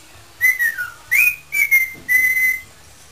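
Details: Improvising pet parrot whistling a tune, meant to be 'Spanish Flea': a falling whistled phrase, then three clear sustained notes, slightly wavering, in an indoor room.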